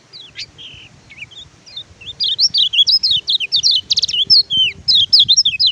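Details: Oriental white-eye (kecial kuning, pleci) song used as a tutor for silent birds: high thin whistles and slurred notes, sparse at first, then a fast run of sharp rising and falling chirps after two seconds.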